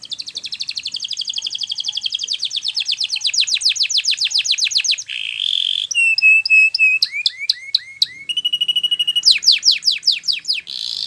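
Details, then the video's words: Canary training song opening with a long, fast, even trill that grows steadily louder. Next come a buzzy note, pure whistled tones, steep downslurred notes and a final rapid trill of sweeping notes. "It's Impossible If Your Canary Doesn't Ring!!"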